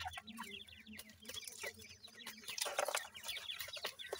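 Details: Francolin chicks feeding on termites give a steady stream of short, high chirps and peeps that rise and fall quickly, several overlapping, over faint rustling and tapping.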